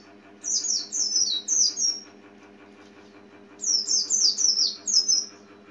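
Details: Two bursts of high, thin down-slurred chirps from an Oriental white-eye, three then four quick notes, separated by a pause of about two seconds, against a low steady hum.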